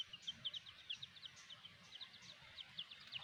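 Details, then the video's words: Quiet, thin high peeping from a black hen's chicks, short notes repeated every fraction of a second in uneven groups, over steady low background noise. "The Amazing Black Hen and her chicks"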